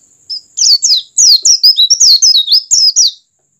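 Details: Oriental white-eye singing to stimulate other white-eyes to open their beaks and sing: a rapid run of high, thin, twittering notes with quick downward slurs, packed densely for about three seconds over a faint steady high whine.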